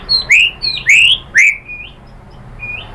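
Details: Few loud upslurred whistles of a white-rumped shama, used as a lure to make other shamas reply, followed by softer trailing whistled notes.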